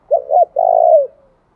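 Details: Spotted dove lure call for provoking rivals: one short low phrase of two quick rounded notes followed by a longer drawn hoarse coo that tails off downward.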